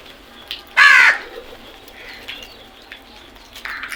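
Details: Crow giving a single loud, harsh, hoarse caw on a morning, followed by faint distant bird calls and light background hiss.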